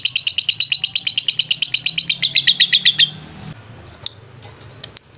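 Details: Ngetrek song of a lovebird, used as a training master: a rapid run of bright, evenly spaced chirps for three seconds, then near quiet broken by a few isolated sharp chirps.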